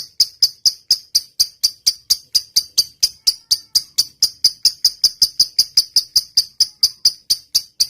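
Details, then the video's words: Lovebird singing in the 'ngetik panjang' training style: bright, clicking high chips in a long, even run, about four each second, with no other sounds. "suara burung lovebird gacor.. ngetik panjang.. lb sekampung langsung rame"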